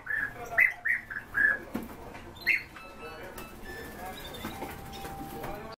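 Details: Song thrushes kept as the owner's own birds: a run of short, clear notes repeated several times in quick succession, then a softer passage with thin sustained tones, faint clicks and background noise.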